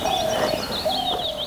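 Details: Black-hooded Oriole in a tree during an urban bird race in Dhaka, Bangladesh, identified by its call: low, fluty whistled notes held steady then briefly repeated, with thinner high chirps from other birds above.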